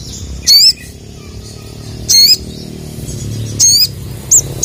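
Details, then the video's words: Sooty-headed bulbul calling rival males: harsh, buzzy high chirps repeated every second or so, with a couple of brief thin notes at the end over low background hum. "SOGON GACOR CUIT CUIT MEMANGGIL LAWAN JANTAN..!"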